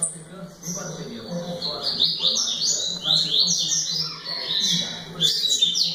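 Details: A double-collared seedeater sings a lively stream of high, zigzagging chirps that builds after a quieter start, over faint low voices or hum.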